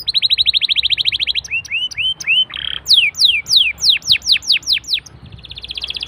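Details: Canary singing as a prompt to start other canaries: a long rapid buzzy trill, a few rising whistled notes, then loud downslurred whistles in a slowing series, finishing with a soft rattle.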